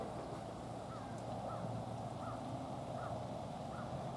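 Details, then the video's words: American crow family, wild birds, calling while greeting friends and hanging out together: a series of five faint, evenly spaced caws about every half second, half buried under a loud, constant low rumble of background noise. "Funny crow sounds-starring the CROW family!"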